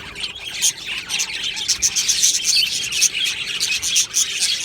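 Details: Colony of budgies in an aviary giving rapid chirps and squeaky warbles, many birds overlapping, about four sharp notes a second over a steady chattering background.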